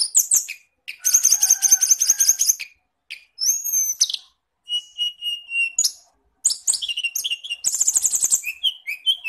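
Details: Songbird training recording to make Oriental magpie-robins (kacer), long-tailed shrikes (cendet), shama (murai) and tledekan sing: bright, varied phrases with a dense buzzy rattle, sweet rising whistles, a steady high note and rapid chattering trills, separated by brief pauses.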